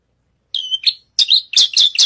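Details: Australasian bush lark (branjangan) singing vigorously on a stage: a brief high whistled phrase, then a pause and a run of sharp, bright chirps near the top of its range, each quickly repeated.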